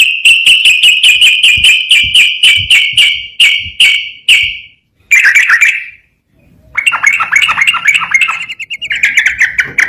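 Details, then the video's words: Yellow-vented bulbul singing in the rapid rolling 'ropel garuda' style, used as master training song: a fast series of evenly spaced sharp chips over four seconds, then a brief gap and warbling, bubbly phrases. "SUARA BURUNG TRUCUKAN GACOR ROPEL GARUDA"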